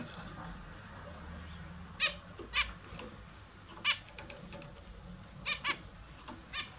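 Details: Pet zebra finches at their morning bath; soft, widely spaced nasal calls, single or paired, rising above a steady background hiss and hum.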